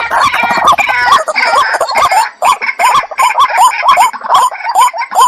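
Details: A duo of white-breasted waterhens starts with a grating, harsh burst, then settles into a rapid series of hooked, rising notes, two or more per second, overlapping between the birds.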